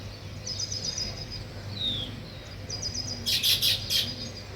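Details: Weaver birds building a nest: soft high twitters and one short downslurred note, then three or four loud, harsh, scratchy bursts near the end; low hum in the background.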